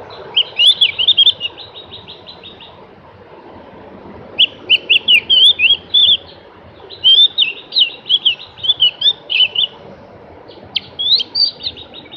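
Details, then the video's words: Javan grey-throated white-eye in sustained song: long strings of rapid high warbled and trilled notes delivered in several bursts over twelve seconds, lively and continuous with short pauses. "kicoan merdu burung Opior jawa atau cak gentong"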